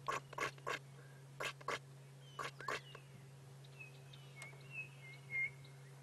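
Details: Brown-crowned Tchagra at sunrise in early July in the Sabi Sand, South Africa: three bursts of dry, crackling wing-snaps, then thin whistled notes that slide up and down, over a steady low hum.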